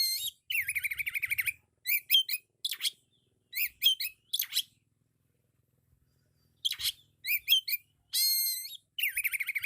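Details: Oriental magpie-robin (kacer) singing loudly in full 'isian' fill-in style: a rapid trilled rattle, then bursts of sharp chirps and rising whistled notes separated by short pauses, with a long silent gap before more trills.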